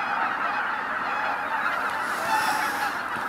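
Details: Huge winter gathering of waterfowl at Izu-Numa in northern Miyagi Prefecture, Japan, heard on Christmas morning; a steady wall of honking and babble, a few clearer honks standing out, swelling slightly near the end.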